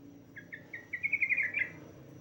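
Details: Female yellow-vented bulbul calling to a male: a few short separate chirps, then a fast pulsed trill that climbs slightly in pitch and lasts about a second.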